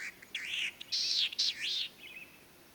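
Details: Latham's snipe hidden in marsh at Senjogahara, Oku-Nikko, Japan, recorded 9 May 2020 on its spring breeding grounds, gives a quick run of harsh, rasping, buzzy notes rising and falling in pitch, ending in a softer, fading note.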